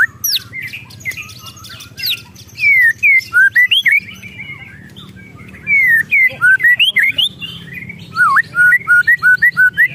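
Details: White-rumped shama in an agitated state, ketrekan style: bright whistled slurs and swoops come in loud bursts separated by short pauses, ending with a fast series of clipped repeated notes over a faint background hum.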